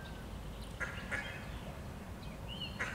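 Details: Mallard, 23 June 2021: two rasping quacks about a third of a second apart, a pause, then one more quack, with a brief clear whistled note from another bird just before it and low steady rumble throughout.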